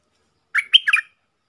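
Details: Single short phrase from a wild red-whiskered bulbul answering a caged decoy: four quick, bright whistled notes rising then dropping, lasting about half a second, quieter than the surrounding calls.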